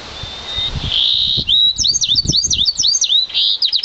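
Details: Yarrell's siskin and canary mule, one year old, bred from an intensive green Fife canary, sings a bright high twittering phrase: thin sustained whistles, then quick rising and falling chirped notes repeated rapidly, with soft low knocking underneath.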